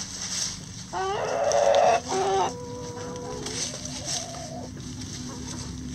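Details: Rooster among backyard chickens foraging through pine needles and leaves for bugs, worms and pecans gives a loud two-part crow, a harsh burst then a shorter one, trailing into long, level notes over low background clucking.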